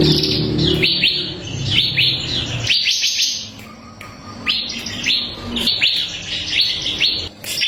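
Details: Bar-winged prinia of the ciblek kristal type, used to train other songbirds: bright, shrill chip notes in rapid clusters, a brief quieter gap midway, then more sharp descending chirps.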